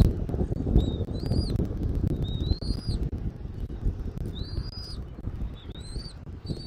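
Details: Bald eagle at a nest in Southwest Florida, afternoon, 13 January 2024: about six thin, high whistled notes, short and upslurred, irregularly spaced, partly masked by continuous low wind noise.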